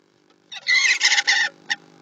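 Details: Common starlings rousing on 15 December after sleeping together in a nest box, getting ready for the day; one harsh, buzzy, rasping call lasting about a second in several broken bursts, then a short single note.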